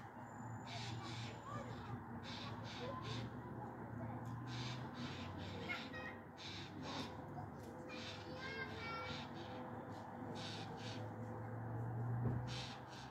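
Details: On 22 September 2022 in Meschede, a Eurasian jay perched in a fir tree scolds, giving harsh, rasping screeches in quick runs, with children playing below, brief human voices and a low background hum.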